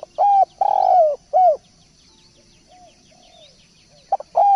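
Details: Spotted dove singing actively: a short coo, a long, full coo and a downward-curving one in quick order, then a quiet gap with faint distant dove notes and light high chirping before the next coo starts.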